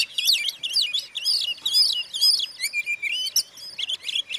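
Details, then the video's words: Oriental magpie-robin in full song, played to stir up other magpie-robins: loud buzzy, warbling phrases mixed with clear whistles and falling slurs in a continuous varied stream. "suara kacer buat pancingan kacer lain emosi"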